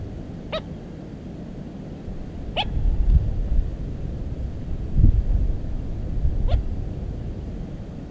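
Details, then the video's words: A little crake in a cattail stand on 13 July 2017 gives three clipped, sharply sweeping notes, two seconds apart and then four seconds apart. Low booming wind or handling noise runs underneath. "Погоныш малый 170713 4 в рогозе"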